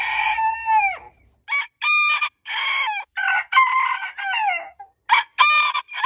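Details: Several roosters crowing in quick succession, from a compilation of heritage chicken breeds: a falling, drawn-out crow followed by a string of short harmonic bursts with brief gaps between them.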